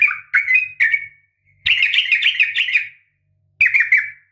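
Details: Sooty-headed bulbul, a female calling a male, as a fighting call to make bulbuls answer; short chirps, a longer bubbling chatter, then a final burst, with faint low hum beneath.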